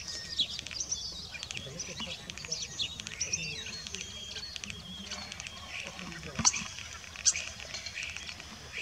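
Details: Rosy starling recorded in Den Burg, Texel, the Netherlands, 26 October 2024, giving a chattering run of high, grating chirps and short whistles at an irregular pace, with a few louder sharp clicks and faint low background noise.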